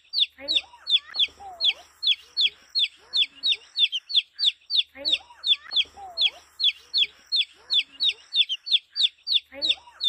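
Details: Flock of young chicks chirping continuously, a steady run of piercing high peeps, each sliding downward, roughly three a second, while quieter low whistles and soft chirps from other chicks weave underneath.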